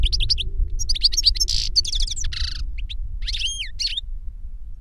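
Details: Older goldfinch singing to teach a younger goldfinch: quick chattering twitters, a buzzy wheezy stretch, then scattered clear notes, ending with a few drawn-out up-and-down whistles before fading, over a low hum.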